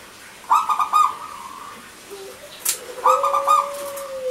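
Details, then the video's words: Crystal-voiced song of local zebra doves, male and female, kept as a lure to start silent birds: two clusters of quick, ringing staccato coos, each trailing into a held tone, with a soft gliding lower note near the end. "Perkutut Lokal Gacor,Suara Kristal Untuk Pancingan Yang Macet Bunyi Jantan Dan Betina."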